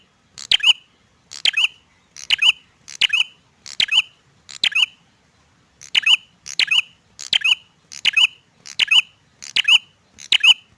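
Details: Male bar-winged prinia singing energetically: a run of sharp, bright, squeaky notes repeated at just under one per second, about six in a first series, a short pause, then seven more, against a quiet background.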